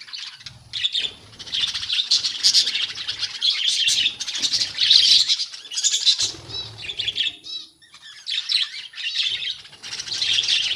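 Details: Budgerigars in a colony fill the air with constant high warbling chatter and chirps, loud and overlapping for most of the stretch, dipping briefly before building again, with faint low rustling sounds.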